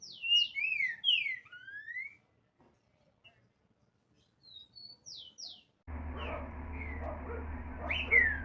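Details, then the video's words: Green-winged saltator delivering a burst of slurred whistles, then a pause and a few softer high notes, before a loud broadband noise takes over the last seconds. "TRINCA FERRO ,os melhores Cantos"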